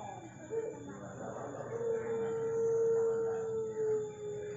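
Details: A puter pelung dove holds one long, smooth, gently falling coo for nearly three seconds against a steady hiss of background noise.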